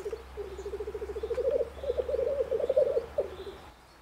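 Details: Male black grouse displaying at a lek in the Bavarian Forest, Germany, during the spring courtship season. It gives a low, dove-like bubbling trill of rapid rolling notes lasting about three seconds, rising slightly in the middle, over a faint steady low hum.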